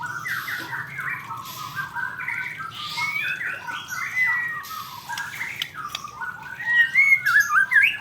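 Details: Male white-rumped shama in song: a long stream of quick, varied chattering notes, ending in clear, looping whistled phrases that rise and fall, with a constant low hum behind.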